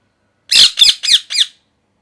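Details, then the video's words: Pet parrot, indoors and molting, gives four harsh, loud squawking calls in quick succession, each broad and noisy with a slightly falling sweep, over about one second. "Parrot Chirping Sounds | Natural Parrot Sounds | Parrot Calling Sounds"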